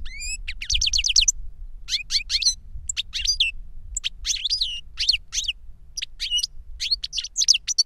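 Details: Caged European goldfinches singing reclamo, a teacher bird and the novice it instructed through a CD: lively, rapid runs of high, tinkling notes and short buzzy phrases, broken by brief pauses, with a quiet low hum.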